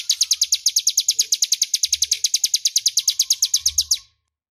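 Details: Crescent-chested warbler singing a clear, loud ngebren phrase, meant for tutoring magpie-robins: a rapid machine-gun run of bright high notes about three per second lasting four seconds, then stopping abruptly into silence. Soft low thumps underneath.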